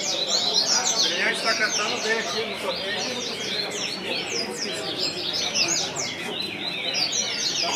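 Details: Several Double-collared seedeaters singing together in a song tournament circle: a dense, overlapping chorus of quick, high twittering phrases, with a few voices talking underneath.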